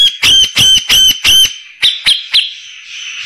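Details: Grey-cheeked bulbul, prized as tutor song for white-rumped shamas for its rough voice, gives four strong, loud buzzy notes, then three shorter harsh chips and a fading rasp.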